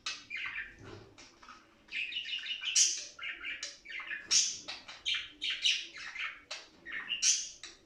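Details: Pet budgerigars in breeding condition giving a dense, continuous warble of quick chirps, clicks and squeaky notes, rising and falling in loudness, with short sharp high accents scattered throughout.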